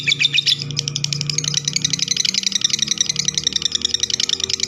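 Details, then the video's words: Lovebird in long chattering song, with rapid harsh high chirps crowding together over a low tonal background hum that sounds like music. "lovebird ngekek panjang"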